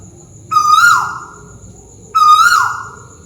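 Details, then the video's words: Malaysian tuwu owl calling from above, two loud whistled notes roughly one and a half seconds apart, each sustained, rising a little, then trailing downward, over near-silence and a faint steady high hiss. "Burung tuwu malaisia lagi bunyi diatas"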